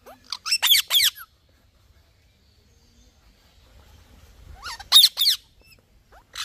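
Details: Green ringneck parrot making two bursts of rapid, harsh screeches about four seconds apart, with quiet low rumbling in the pause between them.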